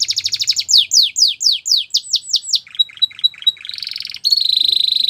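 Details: Canary singing as a training model for young canaries: quick trill, a run of descending whistled sweeps, short clipped notes, then a dense high buzzing trill.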